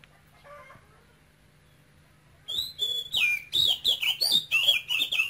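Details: After two and a half seconds of near silence, a caged male oriental magpie-robin from Cambodia bursts into keen, high song: rapid whistled notes about three per second, swooping and bright.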